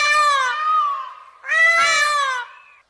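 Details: Peacock giving two long, loud, mewing wails, the first slowly falling, the second rising sharply then sliding down, each with bright layered harmonics and a short gap between.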